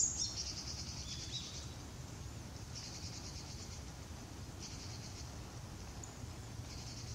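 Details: A Japanese Tit, busy and quick-moving just after bathing, shaking off water and stretching, gives its call: high, thin, buzzy bursts about a second long every two seconds over a steady low rumble. Recorded November 20, 2016.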